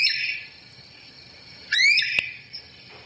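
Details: Great Crested Flycatcher, a loud treetop bird that nests in tree cavities: a high sustained note fades out, then a loud, sharply rising whistled wheep bursts out near the middle, followed by a brief fainter note.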